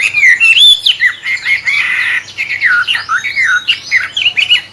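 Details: Loud, varied song of a wambe bird that sounds like a magpie-robin, used as a training lure for songbirds: fluting whistles, a harsh raspy burst, then swooping downslurred and upslurred notes.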